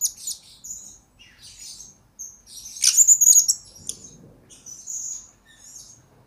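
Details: Blue-crowned hanging parrot used as a training tutor recording: scattered thin high chirps, then a louder shrill squeaky burst near the middle, followed by softer high twitters.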